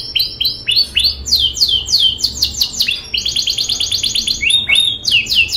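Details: Very chatty canary in rolling song, meant as a model for young birds: sweeping downward whistles alternate with a rapid, even trill of short high notes, then return to looping curved phrases.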